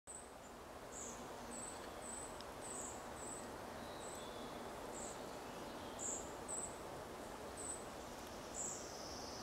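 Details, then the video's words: Young red-breasted flycatchers in forest at Zartovka, 14 June 2012, give contact calls: thin, very high, short notes, roughly two per second at an uneven pace, over a steady background hiss. "Малая мухоловка, позывки молодежи"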